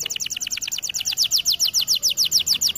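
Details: Canary singing for a training recording, a steady rolling phrase of bright descending chirps repeated about six times a second, growing louder and higher toward the end.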